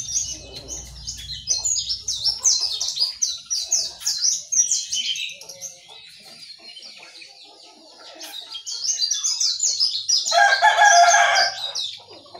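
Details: Yellow-vented bulbul, bulbul and white-eye in the morning: high, rapid twittering from small birds runs almost throughout, joined near the end by a fuller, richer bubbling phrase. A low rumble is heard at the start.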